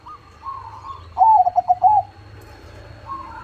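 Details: Crossbred zebra dove with a big voice, singing actively: one loud burst of five or six quick, pulsing low coos around the middle, with softer, steady cooing from other doves before and after.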